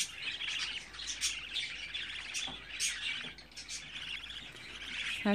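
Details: Captive budgerigar chicks, eldest 24 days old, chatter steadily in shrill chirps and trills, with a brief louder note at the very end.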